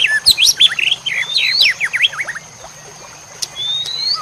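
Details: White-rumped shama masteran song for training fighter birds: a fast burst of sharp rising and falling whistles, very high and dense, then quieter thin drawn-out notes.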